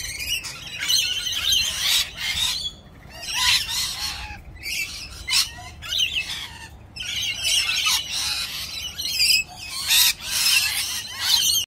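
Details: A flock of rainbow lorikeets lined up together, shrieking in repeated short bursts of high, grating squawks separated by brief pauses, many birds calling at once.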